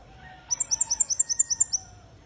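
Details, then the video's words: Red-headed bunting in full voice, delivering about a dozen high, sweet, evenly spaced whistled notes in a quick, steady trill lasting just over a second, with a faint low hum behind. "Kemade Kepala Merah Gacor"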